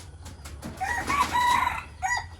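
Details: Morning crowing among decoy chickens: a long, loud, quavering crow swells over about a second, then a shorter second crow follows, over steady low rumble.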